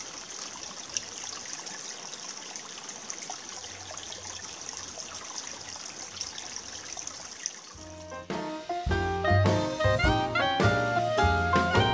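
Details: A steady rush of trickling water fills the first eight seconds, then music with brass-like tones takes over; no animal calls are heard.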